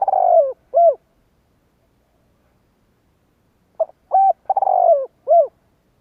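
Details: Spotted dove lure call for drawing in wild birds: two cooing phrases of short hoots around a drawn-out falling note, separated by nearly three seconds of silence, no background noise.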